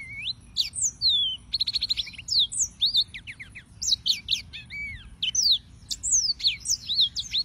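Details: A yellow-fronted canary sings a varied stream of high whistled notes, including a rapid rattling series of short clicks early on, then sweeping up- and downslurs and a lower arched note.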